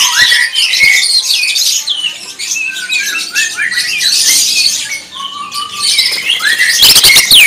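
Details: Greater green leafbird in loud, continuous 'tembakan' style song: a dense rush of high chattering, squeaky notes and short whistles, with a long flat whistle near the end and sharp clicks close to the microphone.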